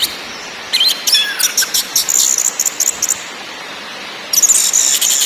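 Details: Orange-headed thrush (anis merah) lure recording intended to stir birds into song: harsh, rapid chattering and clipped high notes in irregular bursts, then a dense scratchy burst near the end.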